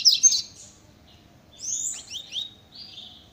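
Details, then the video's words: Double-collared seedeater in very fast velocista-style song: a quick sharp chirp burst, a short gap, then a run of high slurred twittering notes fading out. "Coleiro muito rápido velocista vejam"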